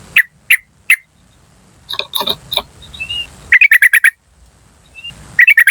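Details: Yellow-vented bulbul calls from a wild-sourced lure recording meant to attract wild birds: sharp, clipped 'cuk' notes, first three single, then rapid bursts of five to six, with brief scratchy chatter between.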